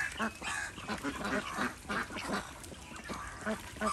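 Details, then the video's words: Desi ducks on an Indian village duck farm, enjoying a swim in a pond, quacking in short, harsh bursts about three times a second with uneven spacing. "Ducks : Enjoy & Swim 2| Desi Ducks"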